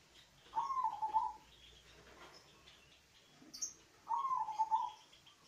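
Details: Deep-voiced local zebra dove used to prompt other doves to sing: two rolling, pulsed coo phrases about three and a half seconds apart, with a brief high chirp between them.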